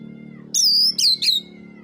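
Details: Oriental magpie-robin giving fighting song to provoke other birds: one long clear whistle dropping slightly in pitch, followed by two shorter bright whistled notes, with a faint low hum beneath.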